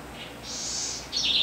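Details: Southern house wren (Troglodytes musculus), called corruíra, in a short song fragment: a soft high note, then a breathy high rush, ending in a loud, rapid, buzzy trill.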